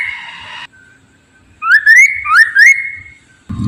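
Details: Black-throated laughingthrush used as a lure for prompting other birds to sing: a brief phrase of four fluty upward-sliding whistles, preceded by a harsh buzzy sound and ending with a low rumble.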